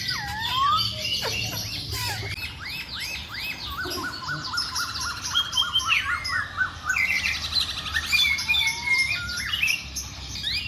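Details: Masked laughingthrush singing energetically amid other birds: dense bursts of quick arched whistles, short repeated notes and chattering trills overlapping with busy high chirps throughout.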